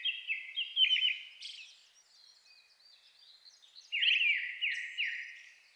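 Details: In a dusk forest in the Shin'etsu highlands of Japan in May, a Brown-headed thrush sings against a nearby Japanese thrush; quick whistled phrases with descending trills open and close the clip, and faint high twitters fill the quieter middle.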